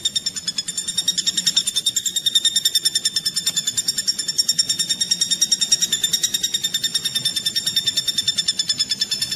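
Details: Woodpecker, played as a tutoring recording for magpie robins and other songbirds; a steady run of sharp, high, ringing pulses, about three per second, continuing without pause for the whole stretch.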